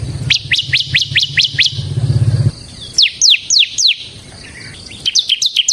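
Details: Bar-winged prinia, semi type, in song used to lure and train other birds: repeated high sweeping notes, then slower sharp descending whistles, with a low engine-like drone during the first half.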